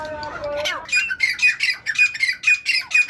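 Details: Tetar (partridge) song: after a brief sliding whistle, harsh ringing notes repeat quickly, about four each second, loud and even, with a faint low hum beneath.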